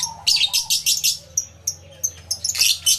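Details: Lovebirds in a busy aviary, among them yellow-collared lovebirds, recorded with twin external microphones on a camera: a quick series of loud, rasping chirps, then isolated short squeaks, then another dense chirping burst.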